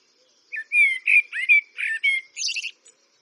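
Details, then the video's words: A Eurasian blackbird sings a mellow, fluted warbling phrase of several rich notes, ending in a brief, high, scratchy twitter. "Eurasian Blackbird Signing Relaxing Birdsong"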